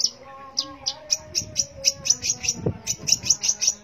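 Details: Long-tailed shrike singing energetically: a steady run of short, sharp, high ticking notes repeated about four times a second, slightly accelerating toward the end, over a faint low hum.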